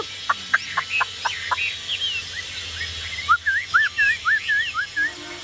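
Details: Caged Chinese hwamei kept as a songbird: a run of sharp clicking notes, then a string of loud, wavy whistled phrases that rise and fall, given about twice a second, with faint background hum.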